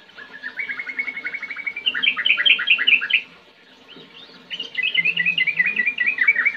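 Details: Ngetir-ngerol song of a sooty-headed bulbul, played to get young or quiet birds singing. A level run of quick notes lifts into a loud rolling burst of sharp chirps, breaks off, then resumes with another rapid chattering roll.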